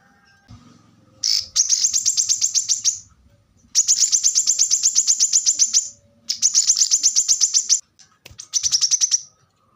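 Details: Fast, high trilled phrases from a plain-throated sunbird, known locally as kolibri kelapa, in four bursts of rapidly repeated thin notes separated by short pauses, with faint low background rumble.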